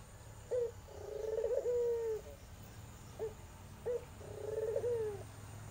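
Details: Iraqi or tangerine Barbary dove calling sweetly as a lure for a silent dove: two coo phrases, each a clipped opening note, a purring trill, then a drawn-out steady tone, with a brief single note between them.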